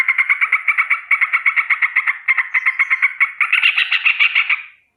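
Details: Sooty-headed bulbul giving a morning danger alarm: a rolling, rapid series of harsh, buzzy notes, about six per second, running without a break for nearly five seconds and swelling louder near the end before stopping.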